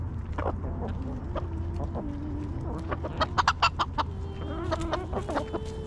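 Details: Backyard hens in their coop cluck and murmur. Drawn-out low tones are broken by a run of sharp, louder clucks midway, with a faint hum below.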